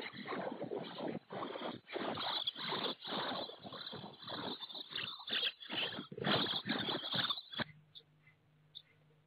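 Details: Common starling chicks in a nest box fitted with an IP camera, 24 May 2017: fast, ragged bursts of rasping, hissing calls, several per second for about seven seconds, then abrupt quiet with a low hum.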